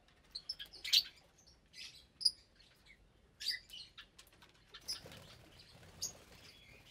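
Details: Meal time in a lovebird aviary holding about 25 birds of parblue, euwing, opaline, lutino and albino colours; scattered sharp, squeaky chirps and short chattering notes, with some faint wing flutter.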